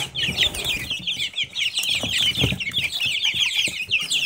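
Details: Continuous shrill peeping from a group of Silkie chicks, quick downslurred notes packed closely together over low muffled background noise.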